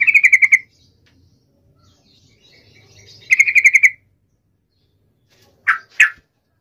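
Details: Energetic yellow-vented bulbul song used to make rival bulbuls answer in anger: two short, fast pulsed trills several seconds apart, followed by two quick sweeping notes near the end, over a faint low hum.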